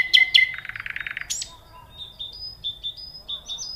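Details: Nightingale phrase beginning with two sharp notes and a fast buzzy rattle, a sweeping high note, then a run of short, pure, level whistles at varying pitches.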